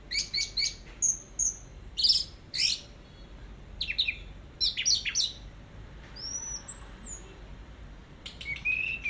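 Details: Teler-style song of the orange-headed thrush (anis merah), recorded at length as tutor material: clusters of crisp high chirps, short whistled phrases and a few sliding high notes separated by brief pauses, against a quiet background.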